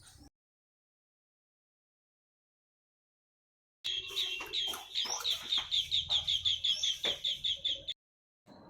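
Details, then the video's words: Green Bee-eater perched in a tree beside a house in the morning; after a long silence, a fast run of clear, high trilled notes, about three per second, for four seconds, with faint rustling beneath. "तर हा आहे या वेड्या रागूचा आवाज आणि असा हा पक्षी आहे मित्रांनो आणि हा विद्युत तारांवर सुद्धा बहुतांश ठिकाणी आढळतो"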